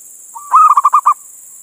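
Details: Male local zebra dove from Indonesia calling to a female: a short soft lead note, then a loud, rhythmic trill of five or six rounded coos, ending abruptly; steady faint high hiss.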